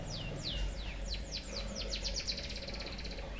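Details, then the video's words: White-headed munia singing a song packed with learned canary phrases, meant as a tutor recording for other birds: a run of high, steeply falling whistled sweeps that speeds up into a dense, rapid buzzy trill, over a steady low hum. "BURUNG EMPRIT HAJI FULL ISIAN KENARI BIKIN GOYANG GOYANG COCOK BUAT MASTERAN"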